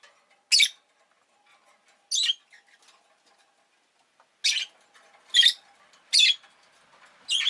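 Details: Pet rosy-faced lovebird producing sharp, isolated screechy chirps roughly every second, each brief and harsh, over faint background hum.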